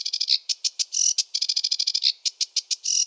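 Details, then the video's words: Sedge warbler in a wetland delivers a rushed, chattering song of rapid, harsh, repeated notes broken by short buzzy bursts, continuous throughout. "Sedge warbler song (Acrocephalus schoenobaenus) the warbler rapper"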